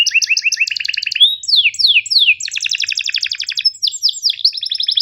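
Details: Tutor song of a canary, long and energetic with sharp chirps and rolling trills, meant for canaries that rarely sing and young learners: paired chirps, rapid buzzy rolls, then quick falling whistled sweeps repeated several times a second.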